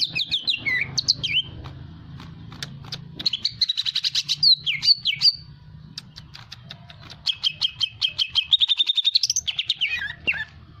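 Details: Lively greater green leafbird song, given to provoke other birds to sing: bright slurred whistles alternate with rapid staccato chatter and long fast trills of repeated sharp notes, over a faint low hum.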